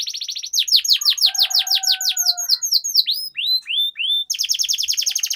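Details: Lure song of a canary to get birds singing with long rolls: a fast trill leads into loud downward sweeps over a faint low whistle, then a few rising up-slurred notes and a closing rapid roll.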